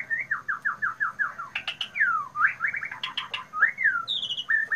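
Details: White-rumped shama in loud, piercing song: a quick series of about seven down-slurred whistles, sharp clicks, a long falling whistle, then rising and falling notes and a high trill at the end.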